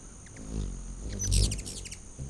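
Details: A hummingbird at a back-deck feeder during a late-August 2019 feeding frenzy gives a short flurry of high, squeaky chips that swell briefly, backed by a low buzzing hum.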